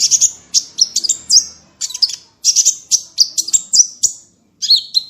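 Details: Small bird in full tembakan style with lavish variation, a masteran recording: shrill chirped bursts and brief rattling trills repeated every half second or so, some phrases ending in descending whistled notes.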